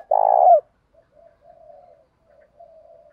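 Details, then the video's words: Spotted dove, cooing in thổ pha and hạp bổi styles meant to lure rivals into fighting: one loud purring coo that falls at its end, then faint distant cooing. "Tiếng chim cu gáy giọng thổ pha, giọng hạp bổi nghe lẹ về đấu"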